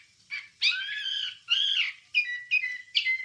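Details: Wambie song used to train songbirds: rich, harmonic whistled phrases, a few long strained notes followed by shorter clipped whistles, fairly quiet.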